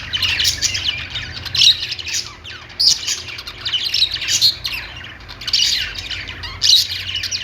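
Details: Kept budgies chattering together: continuous shrill warbling and chirps, with sharper squawks standing out every second or so over a faint low hum.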